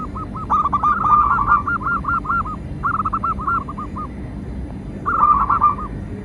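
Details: Local zebra dove (perkutut) singing, a lure for captive and wild doves: long runs of quick, rolling coo notes in three phrases, the first drawn out, over a low rumbling background.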